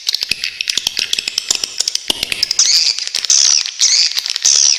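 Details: Swiftlet calls recorded as a tutor track for songbirds: sharp, dry ticking clicks in quick irregular series, then buzzy, shrill high chatters of about half a second each, repeated three times.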